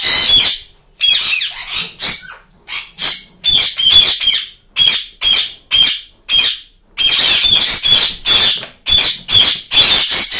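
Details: White rose-ringed parakeet chicks give harsh, rasping, high-pitched calls in quick bursts, about one or two each second, in a small quiet room.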